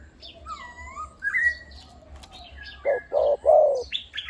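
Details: Decoy spotted dove of the one-kuk type with a deep voice. Near the end, three loud, low, rounded coos come in quick succession. Before them are thin whistles and chirps from other birds, and a low hum runs throughout.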